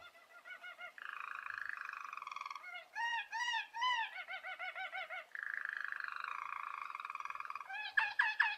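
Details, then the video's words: Belgian roller canary song meant for training young canaries, alternating long smooth rolling trills with bursts of bell-like arched notes and quick rolled phrases, finishing with sharp ringing chimed notes. "Canário belga Roller cantando para ensinar filhotes !!!"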